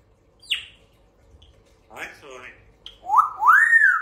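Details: Grey parrot talking, said to speak the phrase "kuch kuch hota hai yar": a sharp falling whistle, then a burst of speech-like harmonic syllables, and finally two loud rising-and-falling whistled sweeps. Background is quiet with a faint hum.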